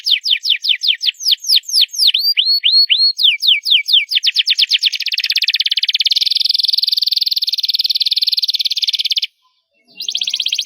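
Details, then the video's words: A canary sings loud, rapid tours of repeated high, downslurred notes, then after a brief pause breaks into a long, fast, buzzy rolling trill. "CANARY SINGING LOUD!!"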